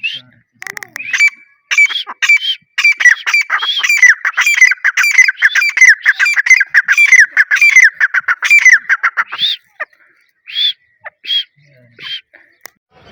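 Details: Male Dakhni grey francolin (teetar), a breeder bird, calling loudly: a long run of harsh, ringing, rhythmic notes repeated rapidly for about eight seconds, then a few separate louder calls spaced by short pauses.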